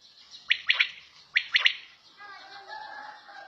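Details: Two sharp three-note quail phrases in quick succession from a bird at home, followed by a softer, hissy background with faint tonal sounds.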